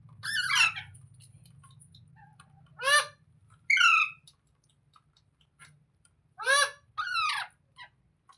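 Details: Parrot squawking in short harsh bursts, some falling in pitch, spaced a few seconds apart, with a low humming drone early on.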